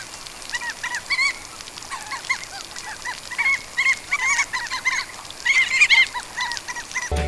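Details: Crab-plover (Dromas ardeola) flock gives raucous, tern-like barking calls in flight, several birds at once, overlapping in bursts with short sharp phrases about every second.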